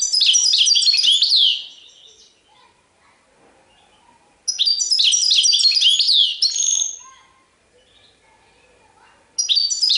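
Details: European goldfinch song from a caged bird, delivered in loud phrases of quick liquid twittering and descending chirps, separated by pauses of about three seconds.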